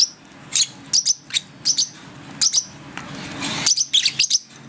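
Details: Six-week-old lovebirds learning to feed themselves give sharp, high chirps in quick bursts of two or three, about a dozen in under five seconds, with faint room noise behind.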